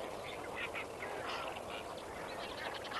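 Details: Dawn at Kamfers Dam on 18 May 2024, where a crowd of lesser flamingos keeps up a thick, noisy babble of quacking, honking notes, with brief louder bursts from birds close by.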